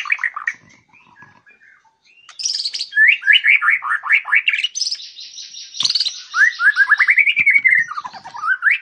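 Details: White-rumped shama with a fighter mentality, ready for contest: a loud, varied song of rapid rising chirp series, buzzy trills and sweeping whistles, delivered in quick phrases after a quiet start.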